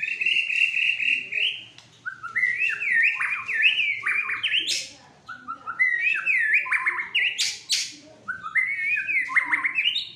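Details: White-rumped shama, a caged fighter bird in an agitated state, singing loud rich whistled phrases that step up and down in pitch, with sharp upswept notes and brief pauses between runs.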